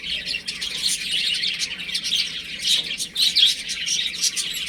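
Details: Baby chicks playing at home, with a continuous flock of thin, high-pitched peeps that rise and fall, peaking in a louder cluster near the end.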